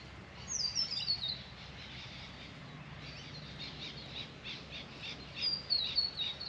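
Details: Grey fantail near a backyard birdbath: high, thin, squeaky phrase sliding downward in quick steps, a soft fluttery pause, then a similar descending tinkling phrase repeated.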